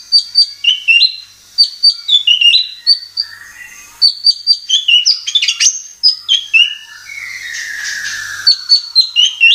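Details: Varied White-rumped shama song played as a lure for caged birds: high repeated whistled phrases about four per second, a buzzy sliding note near the end, then more chirps.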